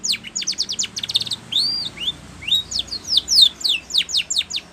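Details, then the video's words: Spanish Timbrado canary song for training: quick clicking downstrokes, two arched whistles, then a lively series of loud falling slurred notes repeated several times a second. "Spanish Timbrado song For Training"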